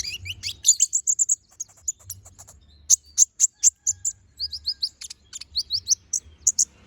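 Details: High-pitched, energetic Konin bird song in the gacor full-isian style, meant for training magpie-robins: crisp chirps in quick bursts, brief rising slurred notes repeated in small groups, quiet low hum behind.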